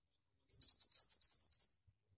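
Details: Pied bushchat in lively, rolling song: a rapid run of about twelve high, sharp, up-slurred notes delivered evenly over just over one second, with a quiet, clean background.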